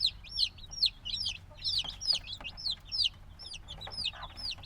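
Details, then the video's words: Black baby chicks, a few days old, call with loud, shrill, downward-sliding peeps, several at once in an uneven flurry, with faint scuffling in the background. "Baby Chicken Sounds - Baby Chicken Chirping Noises"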